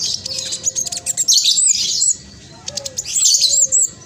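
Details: Spotted-plumage black sunbird singing steadily, used as a lure to make reluctant caged birds sing: rapid, dense, high-pitched chattering twitters in bursts, with thin sweeping whistles and a faint low whistled note beneath.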